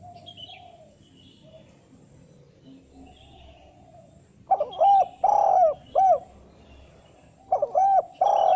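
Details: Calling spotted dove used to lure wild doves, a style that calls females: after a quiet stretch, a low phrase of a coo, a long throbbing note and a closing coo, then a second phrase begins and is cut off.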